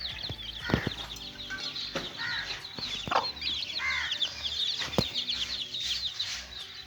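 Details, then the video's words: Chicks playing together: steady high-pitched cheeping from several birds, broken by sharp tapping and knocking sounds and occasional lower, fuller chirps. "little chicks playing"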